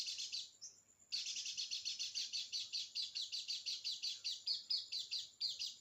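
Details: White-eye song for prompting a quiet bird to sing: after a short phrase and a high thin whistle, a steady stream of rapid, shrill chattering notes follows, pulsing quickly to the end.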